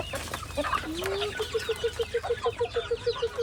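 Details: Chickens feeding: soft clucks, then a steady run of short, evenly spaced low clucking notes about five per second, with faint higher chirps and background noise.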